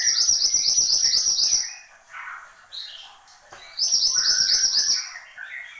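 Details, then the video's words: Horsfield's babbler, locally mantenan gunung, pouring out song: a long run of fast, loud, high twittering notes, a quieter gap with soft lower phrases, then another rapid twittering burst of similar length. "SUARA BURUNG MANTENAN GUNUNG GACOR"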